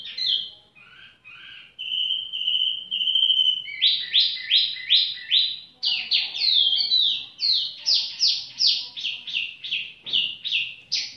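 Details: Leisurely singing from a tiểu mi bird: a few soft whistled notes and a held steady whistle, then long strings of fast, high, repeated chirps that rise and fall in pitch.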